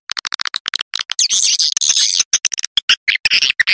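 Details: Swiftlet lure recording: fast dry clicks, a long harsh buzzy chatter in the middle, then more clicks and short raspy chirps.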